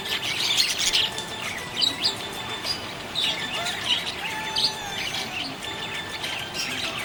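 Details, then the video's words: Cheerful budgerigar chatter: high, clustered chirps and rasping warbles in uneven bursts, pausing briefly between clusters, with a steady faint thin whistle-like tone lingering underneath. "Happy budgie chirping sound"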